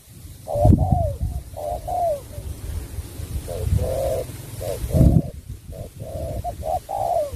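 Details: Spotted dove singing in bau bach de style, with paired hollow coos, short then long and falling, partly masked by low thumps and handling noise.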